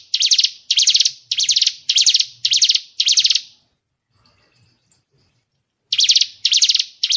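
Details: White-rumped shama training sounds for contest birds: a steady series of harsh, grating buzz bursts about every 0.6 seconds, a pause of near silence, then the bursts resume.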